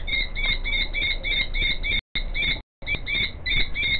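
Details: Female common kestrel crying out behind a male who is wriggling a nest hollow before her; steady, rapid strings of high, slightly harsh repeated notes, interrupted by two short gaps, with low background noise.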